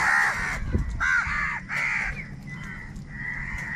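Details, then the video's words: Crows squabbling over food make long, harsh, sustained caws, two or three strong calls followed by a fainter drawn-out one, above low rumbling noise. "kaka sound and noises of crow birds | Huge numbers of crows crowing and crying sounds"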